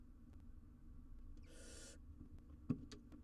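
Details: Young wild barn owl on a live cam, handling an oversized jird as prey. One soft, rasping hiss of about half a second rises above a steady low hum, followed by a brief knock.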